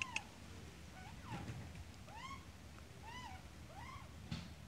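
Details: Australian magpie with chick: a few softer, spaced arched calls, each bending up then down, with a faint click at the start and end and a low rumbling background.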